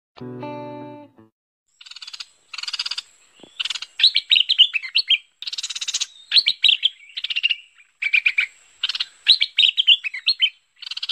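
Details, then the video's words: Merbah pet pet (lekir) bulbul lure call from 2021, used to attract the bird: after a brief low droning tone, loud chattering bursts of bubbly, warbled notes come in quick groups separated by short gaps. "SUARA MEMIKAT BURUNG MERBAH PET PET (LEKIR)"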